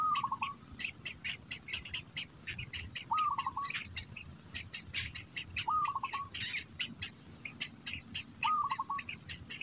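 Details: Black bittern at the nest keeping food in its mouth for its young; four short calls, each a flat note dissolving into rapid stuttered pulses, come roughly every two and a half seconds over busy insect chirping and a constant shrill hum.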